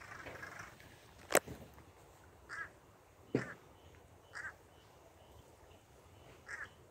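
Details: Crow recorded on October 17, 2022, at Bell's Landing: short, hoarse calls repeated about every two seconds, with two sharp, loud knocks near the start and faint background noise throughout.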